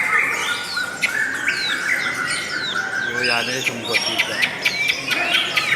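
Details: Long, beautiful lovebird song with rapid twittering, sliding whistled notes and rattling bursts near the middle, chirps tumbling over one another without pause.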